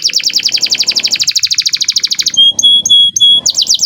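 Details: Canary's lure song for other canaries: a dense, fast trill of sweeping notes lasting over two seconds, then long level whistles with short breaks and a fresh trill at the end, over faint low background noise.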